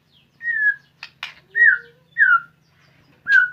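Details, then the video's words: White-rumped shama starting to bring out its "fighter" song style: clear, slightly falling whistled notes repeated about every 0.7 seconds, broken by short clicks and a low rising whistle. "Sudah Mulai Keluar Fighter Nya"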